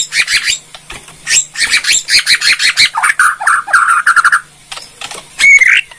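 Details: Borneo white-rumped shama kretekan: a dense, fast chattering rattle in pulsed bursts, a few buzzy mid-pitched notes, then a brief rising squeal near the end.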